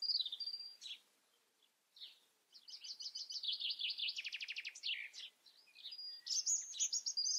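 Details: European robin singing several phrases: a sweet warble, a pause, then a long varied run with a buzzy trill, followed by high thin whistles and quick squeaky notes.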